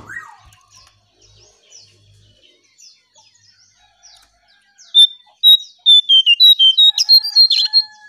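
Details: Striped tit-babbler, used as a lure song: after quiet faint chirps, a loud run of about a dozen evenly spaced, clipped notes begins midway, high and steady in pitch, dipping slightly then ending in a denser burst.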